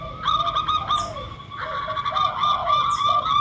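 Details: Lure recording of a local zebra dove (perkutut) alongside spotted doves (derkuku): low, bending cooing notes in quick phrases, overlaid by steady, brighter repeated tones and a high chirp.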